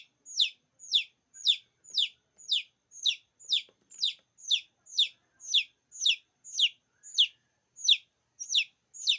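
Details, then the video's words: Chick peeping meant to call other chicks: a steady run of sharp, high descending cheeps, roughly two per second, clean and unaccompanied by other noises. "cheeks sound,effective to call other cheeks."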